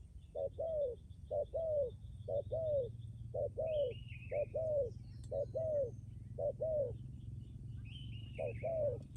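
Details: Caged decoy spotted dove giving strong, long-ending coos: a short low note followed by a longer falling coo, the pair repeated about once a second, with brief high chirps from other birds in the background.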